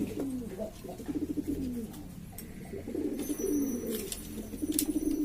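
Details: Hobbyist pigeons of East Lombok, Indonesia, making a racket: low gurgling coos with short downward swoops, repeated in bursts, plus sharp clicks and a brief high whine.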